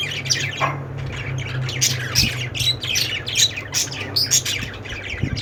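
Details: Budgerigars chirping: a dense flock chatter of many overlapping high squawks and warbled chirps, with a brief louder burst near the start, over a steady low electrical hum.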